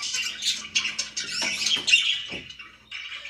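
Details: Pet budgerigars indoors chirping in dense, overlapping high warbles and short squawky notes, with brief pauses and a faint low hum underneath.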